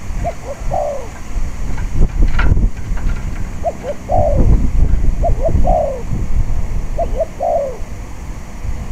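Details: Spotted dove singing at a decoy-trapping site on a windy day, four phrases roughly every one and a half seconds, each two short coos then a longer falling coo. Wind rumble and a brief knock are also heard.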